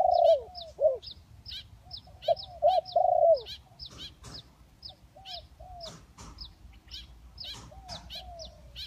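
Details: Luring recording of spotted doves, hybrid and village birds, opening with strong throaty coos in a rapid cluster, then fading to softer repeated downslurred coos beneath persistent high-pitched chirping and occasional sharp clicks.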